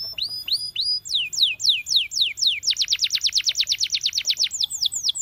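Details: Canary singing for training: a few upslurred whistles, then descending whistled notes that speed into a rapid rolling trill before slowing again at the end.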